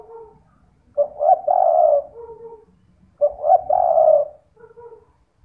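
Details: Spotted dove, played at night as a lure so that other doves call back: two deep, burry coo phrases about two seconds apart, each a hiccuping start into a sustained coo followed by a faint lower note.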